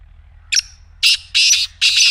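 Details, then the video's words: Black francolin (black teetar) calling, played to silent pet francolins to get them to call: a short sharp note, then three loud, harsh, grating phrases about half a second apart, over a low background rumble. "کالے تیتر کی مدھر بولی | اب خاموش تیتر بھی بولے گا/ Black Teetar Voice"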